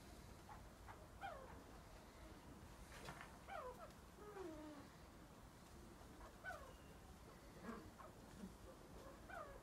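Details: A Himalayan monal (Lophophorus impejanus) at a pheasant breeding farm gives short, plaintive, falling wails, about half a dozen spaced irregularly, over a low rumbling background.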